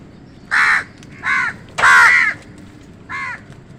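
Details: Crows competing with wild birds for food give four loud, hoarse caws about half a second apart. The third is longest and strongest. There is a faint background hum and no other birds clearly heard.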